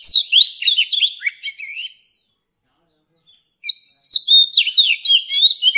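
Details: Wild-caught mature Oriental magpie-robin singing, a recording for coaching young birds. Quick varied whistled phrases stop for over a second, then resume with a bright upslurred note and tumbling whistles. Background quiet.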